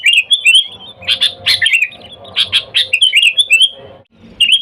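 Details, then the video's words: Vocal sooty-headed bulbul luring wild bulbuls with its calls. Liquid warbled phrases alternate with clusters of sharp chirps, a brief pause before a final phrase. "Suara Dasar Burung Kutilang Gacor Memanggil TEMAN LIAR"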